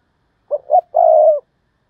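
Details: Spotted dove used as a decoy, giving 'thúc bổi' calls to draw in wild doves. A single low phrase: two short coos, then one long, steady, slightly falling coo.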